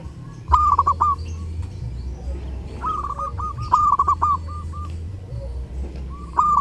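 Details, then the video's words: Zebra dove, perkutut, singing loudly during the Lebaran holiday: rapid bursts of soft rolling coos near one pitch, a long phrase of stuttering notes, with a low steady hum beneath and some clicks. "SUARA PERKUTUT: Burung perkutut gacor saat lebaran cocok buat masteran"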